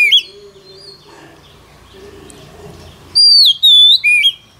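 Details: Oriental magpie-robin during daily singing practice: after a quiet stretch, one loud phrase of a long, level whistle, a second sustained note, then a quick dip and rise.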